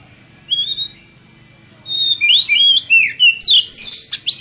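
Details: Oriental magpie-robin (kacer) song used as a lure to stir other kacer into full singing. One thin rising whistle comes first, then a rapid run of bright, varied slurred whistles and chirps pours out.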